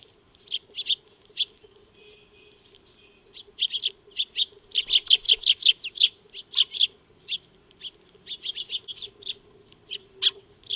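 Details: Feeding Eurasian tree sparrows (Maya birds) in a backyard, trail-camera recording from 2 March 2025: sparse chirps building into a dense run of quick repeated notes midway, then looser chattering.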